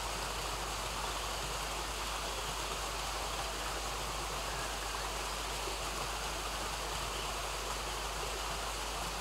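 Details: Steady rushing water from a Himalayan stream fills the whole recording with even broadband hiss, and no calls are heard.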